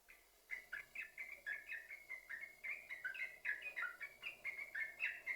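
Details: Yellow-vented bulbul song used to encourage other bulbuls to sing: a dense, fast chatter of liquid warbled notes after a brief quiet start.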